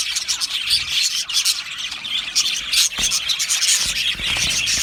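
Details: Budgie colony chirping in an aviary, a constant high twittering chorus with rapid scratchy notes and a brief lull near the start.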